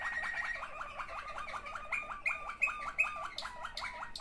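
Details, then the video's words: Waterslager canary, one of two siblings, singing a fast, even series of low gurgling water-like notes, repeated rapidly, with brief bright higher chips laid over the later part. "waterslager 2 αδερφάκια."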